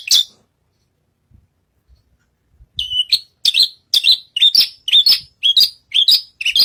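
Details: Javan bushlark (branjagan) singing vigorously while standing on a stage: one buzzy high note, a quiet pause, then a run of sharp, downward-slurred chirps repeated about twice a second.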